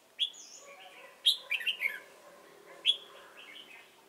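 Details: Decoy red-whiskered bulbul at Chùa Hương, Vietnam, on 28 November 2017, during trapping; sparse loud chirps with short warbled phrases separated by pauses of about a second.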